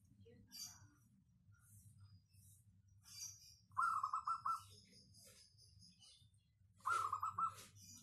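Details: Local zebra dove with a clear, dense 'crystal' voice, used as a lure song. Two bursts of rapid, bubbly coos at the same steady pitch, each about a second long and several seconds apart, over soft chirps from other birds and a low hum.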